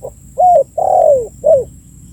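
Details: Calling spotted dove, a lure recording for drawing in birds: a rounded coo, a long mellow note that slides downward, and a shorter falling coo ending the phrase, over a quiet background.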